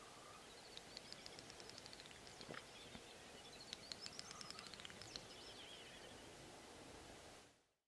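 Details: Great snipe males lekking on European swamps and meadows in late spring after sunset, competing for females' attention; fast bursts of dry clicks mixed with high twittering and looping, rising-and-falling whistled sweeps, fairly faint over steady hiss, cutting off at the end.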